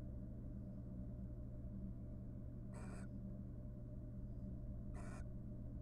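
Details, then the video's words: A wild barn owl pair in a monitored nest box, courting after raising three nestlings; two short hoarse hissing screeches about two seconds apart, with a steady mechanical hum underneath. "After raising three nestlings, the barn owl pair court and show each other love."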